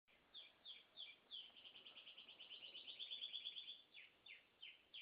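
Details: Canary singing steadily: a series of high repeated notes building into a long rapid trill, then spaced single chirps again, faint background hiss.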